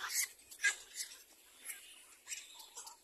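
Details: Little black cormorant mother teaching her young one to clean: a few scattered high, raspy squeaks, loudest at the start, then softer broken notes.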